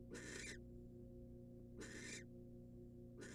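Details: Female barn owl, wild, at a nest box as the male brings her a rat: rasping hissy screeches about 0.4 seconds long, widely spaced, with a constant humming background.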